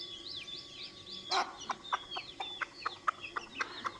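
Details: A hen calls her chicks with a steady series of clipped clucks about every quarter second, following a burst of high, sliding chick peeps and one louder broadband note.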